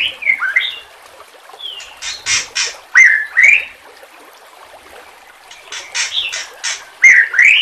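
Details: White-rumped shama training recording with water sounds: harsh, scratchy upslurred calls and noisy bursts in two clusters, separated by a quiet gap with only background trickling.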